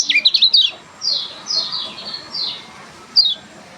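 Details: Lemon-bellied white-eye producing an odd song: a quick jumble of high zigzag notes, followed by four clear, slurred downward whistles spaced about half a second apart.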